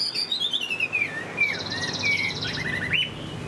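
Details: Chinese hwamei, currently moulting and large-bodied, gives high song: long, clear whistled glides sliding downward, answered by slurred upward whistles and a brief rapid buzzy trill, with low hum beneath.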